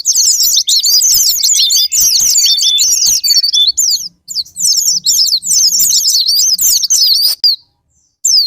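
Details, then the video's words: Japanese white-eye lure song to provoke rival singing: intense, shrill, rapid twittering for about four seconds, a short break, more fast chatter, then near silence with a final note. "Pancingan Super Gila Sparing Patner,ampuh buat pancingan Semua jenis burung pleci pemicu andernalin"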